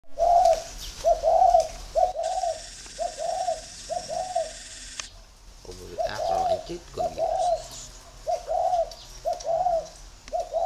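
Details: Spotted dove singing from northern Vietnam, a steady series of mellow, rounded coos repeated about once a second. A burst of broadband hiss partway through and low background rumble are also present.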